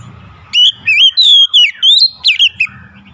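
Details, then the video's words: Oriental magpie-robin delivering a rapid run of clear whistled notes, each bending up or down, strung into one bright phrase of about seven syllables after a brief quiet start, with faint low background hum. "KACER SETRES LANGSUNG GACOR"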